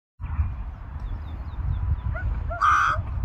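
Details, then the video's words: Crow in winter giving one harsh, buzzy caw near the end, over a steady low rumble, with a few faint, brief higher calls scattered earlier. "CROWS IN WINTER"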